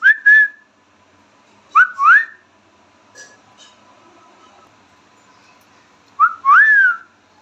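An Indian ringneck parrot gives three short bursts of clear, swooping whistles, each a quick rising-then-falling pair of notes, separated by pauses of several seconds in a quiet room.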